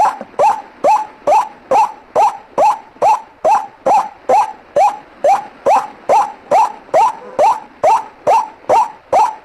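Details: Ruak-ruak, the white-breasted waterhen, as a lure recording: a long run of about twenty-two loud, croaking notes, evenly spaced at just over two per second. Each note is hoarse, with a quick upward sweep.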